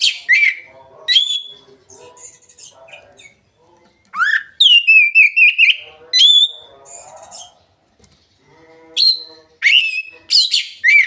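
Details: Oriental magpie-robin ngeplong song used as a lure to make a hard-to-start bird sing. Loud whistled phrases, rapid trills, and sliding notes come in bursts with quieter scratchy interludes and short silences between them.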